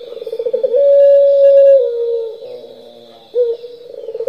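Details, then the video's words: Puter pelung turtle dove lure call: brief pulsing notes rise into one long level coo lasting about a second, drop slightly, then a short coo follows and the pulsing resumes, with a faint steady high tone throughout. "Pancingan puter pelung gacor nglocor"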